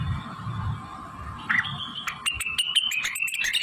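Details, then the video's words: Blue-winged leafbird in full song, its repertoire filled with imitations of shama, canary, prinia and other birds; after a quiet start, bright chattering bursts and high whistled notes break in, with a steady low hum throughout. "Cucak Wilis Gacor ll Rengganis isian murai kenari prenjak ciblek kapastembak cililin"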